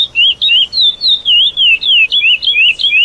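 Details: Lesser seed finch delivering the classic praia song, meant for teaching young birds: continuous chain of clean whistled phrases with falling-then-rising slurs, closely spaced at roughly three per second, over a quiet background.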